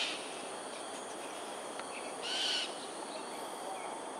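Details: Cockatoo on an aerial display over Sungei Ulu Pandan, Singapore, on a January 2022 morning at 7.43am: one harsh grating screech lasting about half a second, with a fainter distant call and a continuous noisy hiss behind it.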